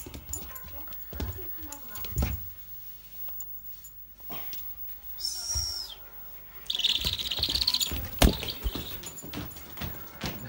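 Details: A captive pet Snowy Owl playing with a husky, possibly over a tug-of-war toy, gives a brief thin, shrill whistle, then a longer harsh, hissing screech. Scuffling, thumps and a person's voice are heard throughout.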